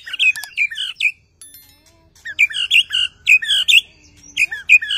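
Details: Caged-style white-rumped shama in song after moulting, loud bursts of rich whistled and chattering notes delivered in quick phrases separated by short silences.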